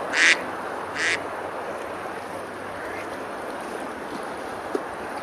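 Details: Ducks on a river at Besalú, Girona, Spain, beside a medieval fortified bridge on a summer day, feeding and splashing; two loud harsh quacks open the recording, then a steady background hiss with a faint click near the end.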